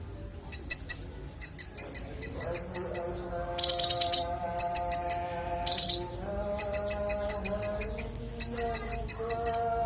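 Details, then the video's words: Konin in clear song meant as a tutor recording for songbirds: repeated groups of sharp high ticking notes broken by two dense buzzy trills, with faint sustained lower tones in the background. "Konin bongkar isian suara jernih"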